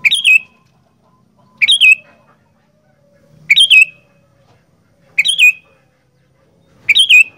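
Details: Caged sooty-headed bulbul from Indonesia kept as a fighter bird, singing five short loud bursts at near-regular intervals of under two seconds, each phrase dropping quickly from a sharp start into a rough trailing note.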